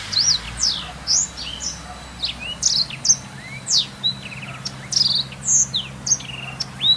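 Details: Black-throated canary song used as a master song to train canaries: rapid high twittering phrases of sweeping, downslurred and upslurred notes with short trills, in bursts every half second or so over a low steady hum.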